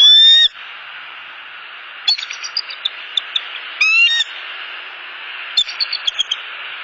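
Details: Mated pair of wild bald eagles at their Southwest Florida nest, evening of 29 November 2015, returning for the night: two brief, high, piercing whistled squeals, separated by bursts of rapid, staccato chittering notes.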